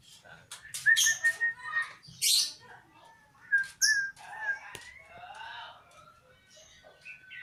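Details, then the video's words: Sooty-headed bulbul singing short bubbly whistled phrases at mid pitch, mixed with sharp chirps and a few louder bursts in an irregular rhythm, against a quiet background. "nyanyian burung kutilang"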